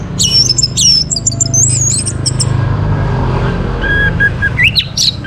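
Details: Orange-headed thrush singing in the morning, played to bring birds into breeding condition and full song. Bursts of high, sharp chirps and twisting whistles open the passage, then quieter rising notes follow over a steady low hum.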